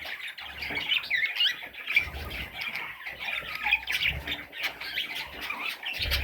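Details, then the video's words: Chattering parrot chicks give short, buzzy chirps and squeaks in quick succession, with occasional soft low knocks. "Parrot Chicks"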